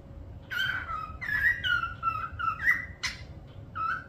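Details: Parrot whistling a series of clear, slurred whistled notes, some falling and one rising sharply, given one after another over about four seconds, faint room hum behind.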